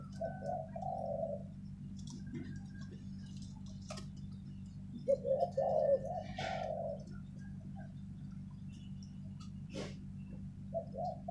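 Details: Spotted dove kept as a decoy bird, giving soft, low, hollow coos in short phrases: one near the start, a louder run of three or four in the middle, another at the end, over a steady low indoor hum and faint clicks.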